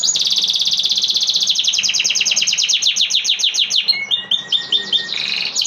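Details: Dense canary song dominated by an extended rapid, rich trill that gradually slows into separate downslurred notes, with a thin steady whistle and a final brief high trill.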